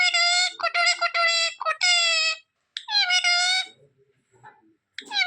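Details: Talking pet parrot in India, said to have slept in a blanket, saying 'ku ku': several bursts of clear, harmonic, voice-like syllables separated by short pauses, with a brief phrase returning at the end, in a small indoor room.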